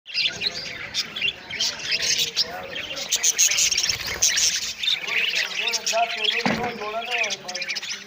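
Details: Budgerigar chicks with their mother chatter in a busy stream of high chirps, squeaks and warbles.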